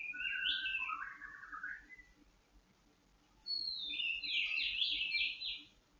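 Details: Kept white-rumped shama, aired in the dew to steady its mood and breeding condition, gives a falling warbled phrase, a pause, then a long high rapid trill of repeated whistled notes against a low steady hum.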